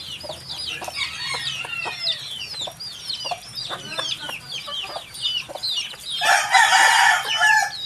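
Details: Baby chicks peeping, many high, curved chirps overlapping rapidly and continuously, then a louder burst of harsh, broad noise near the end.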